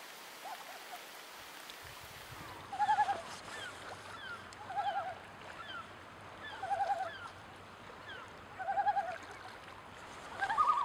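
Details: Common loon calling: short, wavering, pulsed mid-pitched notes come in bursts about every two seconds over a faint hiss of water and background noise.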